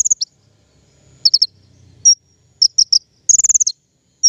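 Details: King konin song used as a trapping lure: sparse high chirps and pairs of notes, then a quick rattling trill of about six notes, ending with a single clear whistle.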